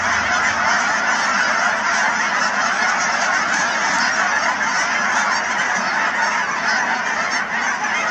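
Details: At the Cheam Wetlands in BC, a vast gathering of Canada geese keeps up an even, crowded chorus of honks for several seconds, no other sounds standing out.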